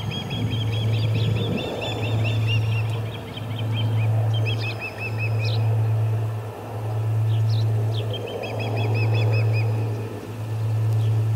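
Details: Osprey at the Charlo P2 nest as another intruder lands, July 14, 2020, 2:20 pm MDT: several series of quick, high, repeated chirping notes over a loud steady low hum and broad background noise.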